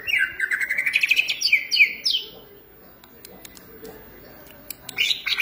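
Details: Caged green leafbird in Indonesia, singing lively, active song: a rapid run of rising whistled and chattering notes over the first two seconds, a quieter gap with faint clicks, then a fresh burst at the end.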